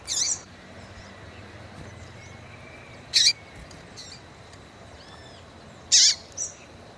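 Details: Female Yellow-bellied seedeater (coleiro baiano) calling to stimulate males: three short, very high chipped notes about three seconds apart, with a fainter extra note after the last, over a steady low hiss.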